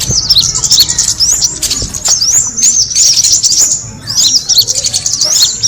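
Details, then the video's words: Kemade bird calling to attract birds, with rapid high chirps and short rising and falling twitters in near-continuous runs and a brief pause near the four-second mark. "the sound of the kemade bird attracting noise"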